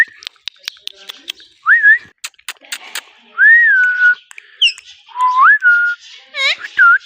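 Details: Talking rose-ringed parakeet kept as a pet in India. Rapid sharp clicks lead into several clear whistled phrases, each rising then sliding down and holding steady. Bursts of chatter and a harsh, layered note near the end come between the whistles.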